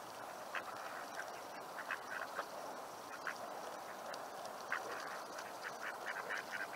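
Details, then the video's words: Mallard drakes chirping at sunset on May 10, 2021, among a gang of local waterfowl being fed in a Seattle neighborhood: soft, raspy chirps and short nasal notes scattered irregularly about every half second over a steady background hiss. "The sound you're hearing is mallard drakes chirping."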